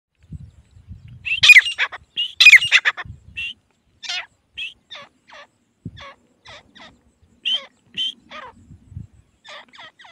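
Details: Grey francolin, a pet bird kept to lure wild field francolins, giving irregular short high notes, some sharp and squeaky, several grouped in quick pairs, with faint low rumbling noises at the start and end.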